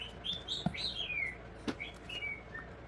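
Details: A female pet African grey parrot, kept since 2014, in a singing mood in the background, whistles a string of clear, high notes, several gliding downward.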